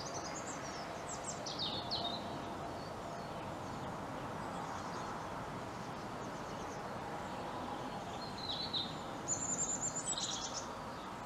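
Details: A European robin perched on a treetop sings high, thin, varied phrases with quick pitch jumps, in short bursts over a steady rush of wind or distant traffic.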